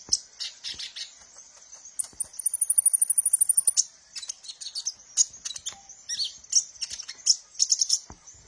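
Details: Sunbird song used as a lure for captive birds: scattered high chirps, then a fast, even trill of about twenty pulses lasting nearly two seconds, followed by lively twittering bursts.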